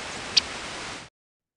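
A single short, flat chip from a Yellow-rumped Warbler, quickly up and down in mid-high pitch, standing out against a steady hiss of background noise.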